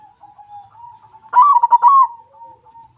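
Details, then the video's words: White zebra dove singing hard: a continuous thin whistled tone runs throughout, broken midway by a loud burst of rapid stuttering coos lasting about half a second. "suara perkutut putih yang super gacor"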